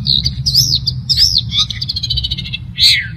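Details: Cendet, or long-tailed shrike, in lively song: arched whistled notes rising and falling, then a quick run of chattering notes and a final harsh burst, with a faint low rumble behind.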